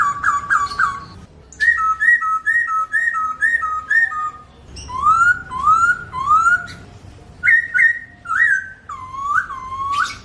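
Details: Melodious Chinese hwamei song, recorded clearly with no sound effects: rapid runs of short paired whistles, then swooping upward slurs and lower looping notes, varied phrases in quick succession.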